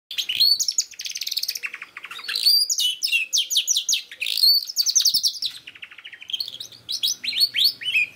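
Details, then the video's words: Canary song played as a lure to get a young canary that has not yet sung to start singing: long rapid trills and rolling buzzy tours, high whistled slurs between them, in a continuous flowing stream with no other sounds. "SOLUSI KENARI PAUD ANDA YANG BELUM BUNYI DIJAMIN AMPUH LANGSUNG NYAUT #7 || VOICE OF CANARY"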